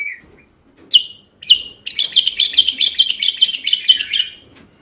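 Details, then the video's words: Bulbul singing to prompt other bulbuls: a low chirp, two sharp downslurred whistles, then a long fast trilling chatter lasting nearly three seconds. "تغريد تحفيزي للبلابل القافلة ترديد صوت البلبل"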